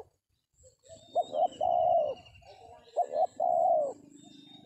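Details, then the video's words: Spotted Dove, trapped with a decoy in an oil palm plantation, utters two phrases of short paired notes and a long rounded coo, with low rustling noise and faint high whistles and trills around. "DAPET TARGET TEKUKUR TERBAIK, SUARA KOMPLIT"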